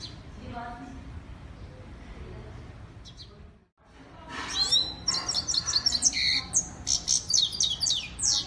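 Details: European goldfinch, a female called Lady Goldfinch or Saira, singing: after quiet muffled sounds, a burst of rapid high twittering notes and trills, repeated quickly with sharp chirps through the second half.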